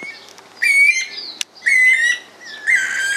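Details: Red-crested cardinal feeding on fruit and seeds in Esperanza, Santa Fe, Argentina, 2022; three loud, nasal, harmonic-rich calls, each about half a second long, separated by short pauses, with a faint softer note near the start.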